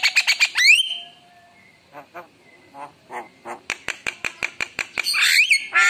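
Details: Javan myna opens with harsh squawks and a sweeping whistle, follows with soft gurgling notes, then a rapid series of sharp clicks and a loud buzzy flourish.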